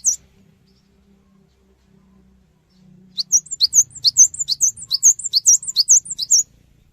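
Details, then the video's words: Cinereous tit lure song meant to draw replies from other birds: after a quiet start, a long, even run of about eleven high, repeated chirping phrases. "Pancingan Suara Burung Gelatik Batu Cepat Respon"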